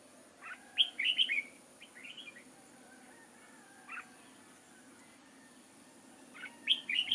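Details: Red-whiskered bulbul kept as a trapping decoy, recorded 6 October 2018: clusters of bright, quick slurred whistles in short phrases opening and closing the stretch, with scattered softer notes between.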